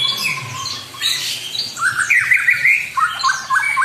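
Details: White-rumped shama song to rouse a rival: after a quieter, hissy start, a sudden burst of loud, quick whistled trills and chattering notes follows, then short repeated rising whistles.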